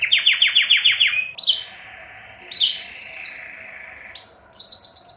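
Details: Belgian canary song aimed at exciting females for breeding: a series of quick descending slurred notes, a short trill, a quiet gap, then high buzzy rolls stepping upward.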